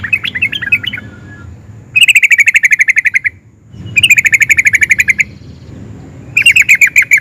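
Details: Worked-up sooty-headed bulbul delivering ngerol rolls that provoke others of its kind to reply: three long, even, buzzy trills of rapid bright notes, each lasting over a second, separated by short gaps, with soft background noise.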